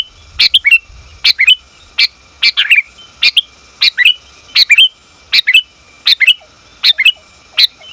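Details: Female sooty-headed bulbul calling the male, used as a lure sound; rapid string of short two-note chirps with downward slurs, about eleven phrases in eight seconds, loud and clean.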